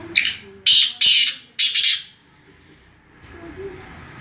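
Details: Black francolin calling in Khairpur Mirs, Sindh: four loud, harsh, grating notes in quick succession, the last one drawn out, followed by quiet background.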